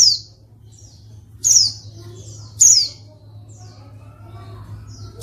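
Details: Calling female white-eye, used to stir silent males into song: two loud, high, downward-slurred chirps about a second apart, with softer faint chirps between, over a low hum.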